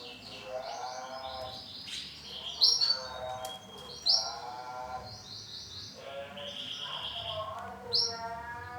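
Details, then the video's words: Male canary, orange and black: a continuous song of rolling, buzzy harmonic trills in repeated phrases, punctuated by sharp, high, clipped notes roughly every one to four seconds. "CANARY JANTAN WARNA ORANGE HITAM"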